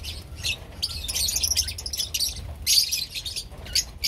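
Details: Pakistani lovebirds gathered in an assembly, giving a dense chorus of shrill, high chirps and squeaky tweets in overlapping bursts, with several birds calling at once and short pauses between bouts.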